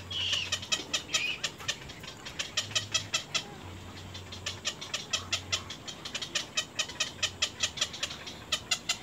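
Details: Nestling little egrets attacking their mother at the nest: a fast run of crisp clicking ticks, about three each second, with a brief harsh rasp near the start and an intermittent low hum.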